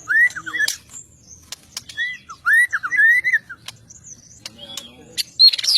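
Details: White-rumped shama singing: clear arched whistles near the middle register in quick phrases, mixed with sharp clicks and high thin notes, with pauses between bursts.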